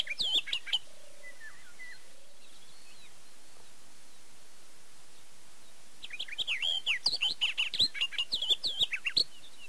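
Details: Barred warbler recorded in early May 2013 at Erdőhorváti in Hungary's Tokaj region, Canon EOS 7D: a short harsh twittering burst, quiet gap with faint distant whistles, then a fast, scratchy, chattering warble of several seconds.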